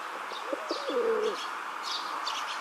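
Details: Rock dove male in a park, puffing out his throat while courting a female: one low, rolling coo lasting about a second. Higher chirps from other small birds sound in the background over steady hum.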